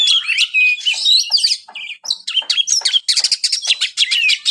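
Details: White-rumped shama singing a dense, energetic song of whistles, chips and rapid high trills, phrases running almost without a break.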